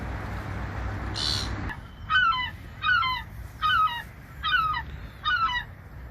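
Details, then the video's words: Gulls over the ocean give a run of five harsh, descending, laughing calls about every seven-tenths of a second, each stacked and nasal, after a brief noise burst and steady low surf. "Seagulls | Seagull Sounds | Seagulls Flying | Seagull Sound Effects And Video"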